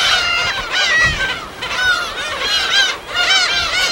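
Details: Gull calls from a wild colony on an uninhabited island in the West Sea: bursts of overlapping down-slurred, harmonic mewing cries about once a second, with brief lulls between bursts.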